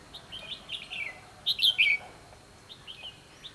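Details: Fighting song of a red-whiskered bulbul recorded while trapping on 24 December 2015. Cheerful whistled phrases start softly, then swell into a loud, bubbling, slurred flourish and trail off into scattered quieter chirps.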